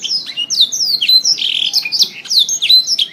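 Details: Training recording of canary song: bright high descending whistles repeated in quick phrases, mixed with harsher buzzy rattles, loud and unbroken throughout, with no other sounds.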